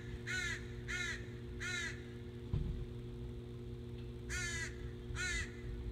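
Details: Very noisy crows in Northern Michigan, recorded 14 July 2017: three harsh caws about 0.7 seconds apart, a pause, then two more, over a steady low hum.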